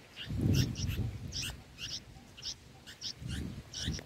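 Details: Bulbul chicks in the nest, six days old, being fed lizard eggs: high, thin chirps come in quick clusters through the clip, over a steady low rumble and handling noise.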